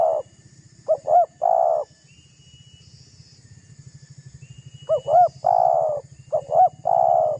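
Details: A lively spotted dove coos to stir a rival's temper, a lure call: a coo ending at the start, then phrases of two short arched notes and one long coo, spaced by a quiet gap, over steady low throbbing.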